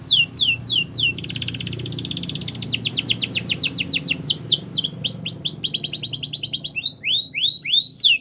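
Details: Canary song for training: fast downward-sweeping whistles, then a long rapid buzzy trill, more swooping notes, a second rolling trill, and a few closing slurs.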